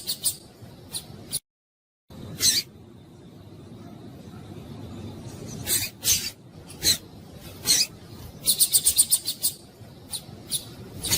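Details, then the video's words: Rusty-collared seedeater female in breeding condition, calling to excite males; spaced high chips and short bursts, a quick series of about six bright repeated notes near the end, with a brief silent gap early on. "fêmea de coleiro quente para esquentar coleiro"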